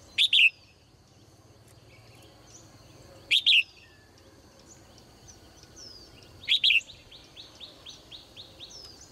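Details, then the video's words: Morning chirping of a caged female bird: three sharp, high double notes roughly every three seconds, followed by a run of soft, rapid falling twitters from other birds in the background. "นกตัวเมียร้องเจื้อยแจ้วในยามเช้า , เสียงนกร้องในกรง"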